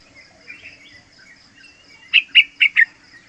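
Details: Young yellow-vented bulbul, three months old, kept as a lure and tutor bird. After a quiet start, four loud, short chirped notes come in quick succession near the end.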